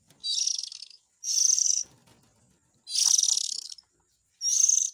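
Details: Lure recording of white-rumped shama chick calls: four loud, scratchy, hissing bursts of up to a second each, irregularly spaced, with soft low rustles in the pauses.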